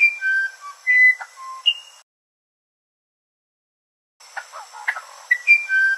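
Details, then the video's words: Musician wren song of clean, flute-like whistled tones, each held briefly at a different pitch, then a gap of silence before more whistles and chattering notes resume. "Musician Wren Sound"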